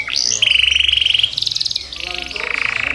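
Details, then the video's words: Yorkshire canary singing: rapid, rolling trills held at steady pitches, a high rising note, then a long buzzy trill, a higher rattling phrase and further lower trills, all in fast regular pulses. "KUMPULAN KICAU KENARI YORKSHIRE"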